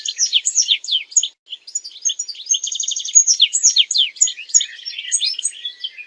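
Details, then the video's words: European goldfinch song, used for mating and for teaching goldfinches to sing: a continuous tumbling twitter of slurred, tinkling high notes with a brief buzzy rattle near the middle. "مجموعة اصوات لطائر الحسون ل التزاوج و تعليم الحسون التغريد"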